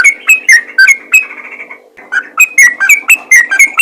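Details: Yellow-vented bulbul calling to others of its kind: rapid bubbly, clicky chirps, a brief sustained buzzy stretch, then a renewed fast run of repeated notes.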